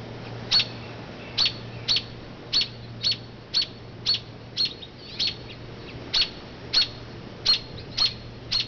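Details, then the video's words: Distraction calls of a mother robin perched away from her nest in an oak when someone passes; piercing short chirps, roughly fourteen, spaced unevenly with some quicker pairs, against a soft background hum. "Chirping Robin"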